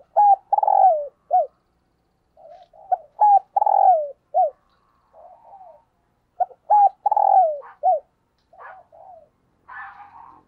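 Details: Spotted dove decoy in 'thúc gù' style, cooing to provoke wild doves: several loud sequences of short clipped notes and long downslurred coos over ten seconds, with quiet murmured notes between and a brief higher rasping sound near the end.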